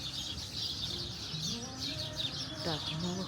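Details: A flock of sparrows in a tree full of them on the seafront promenade in Málaga, Spain, on an April evening, keeps up a dense, constant chatter of high, rapid chirps while people talk nearby.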